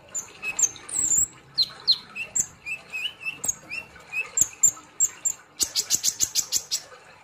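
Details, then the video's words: Sunbird (kolibri ninja) in full, lively song, giving high chirps and short sliding whistles that end in a quick burst of about a dozen sharp, rapid ticking notes. "kolibri Ninja ( konin ) Gacor Ngobra Nembak"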